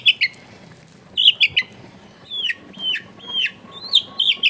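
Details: Lure song of a long-tailed shrike for coaxing a silent bird, recorded at home in a busy neighbourhood: spaced, high, down-slurred whistled notes and short chirps with quiet gaps between.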